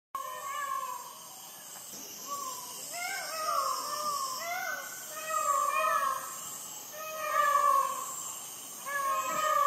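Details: Peacock screaming at midnight in Sri Lanka, captured on a Sony ICD-PX470 recorder: loud, nasal, wavering wails rising and falling in repeated bursts every couple of seconds over a steady high insect hum.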